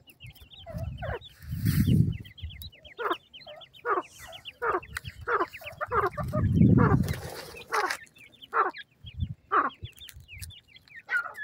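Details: Captive grey francolin chicks at feeding time give many thin, high descending peeps and clipped mid-pitched chattering notes, while loud low thumping handling noises come and go.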